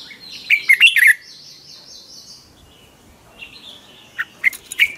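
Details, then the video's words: Red-whiskered bulbul singing a morning training song; a quick warbled phrase, then a pause with a faint distant whistle, then another short burst of chirpy notes. "Chào mào hót ché luyện giọng quá hay 2020, luyện chào mào hót sáng, cách luyện chào mào hót căng lửa"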